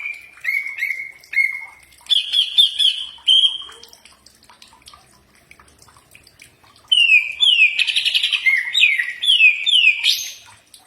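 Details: Common iora song, played to train birds and draw a reply. Steady whistles and a warbled phrase come in the first four seconds, a quiet gap follows, then a loud run of upslurred, rapidly repeated notes.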